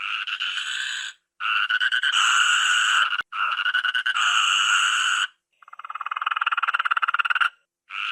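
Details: Toucan calling, croaking sound of a South American tropical forest bird: long harsh, buzzy rattling phrases lasting about a second each, separated by short silences, the last phrase breaking into rapid pulses.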